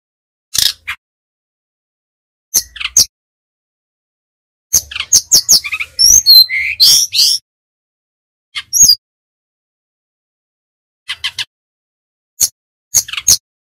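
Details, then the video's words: Active brown-chested jungle flycatcher from Bali: scattered high chips, then a dense two-second run of twittering and swooping whistled notes, followed by more separate sharp calls. "Burung sikatan rimba dada coklat ori bali - Belajar nyiul / nyuling GACOR"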